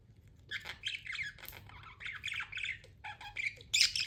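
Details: Pet budgies give a loud run of scratchy, buzzy chirps and warbles in quick broken phrases, ending in a sharp, louder squawking burst.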